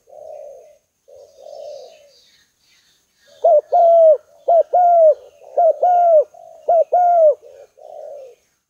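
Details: Lure call of the spotted dove: a couple of soft, burry coos open, then a run of loud coos, each a sharp short note before a drawn-out falling coo, repeated about every second.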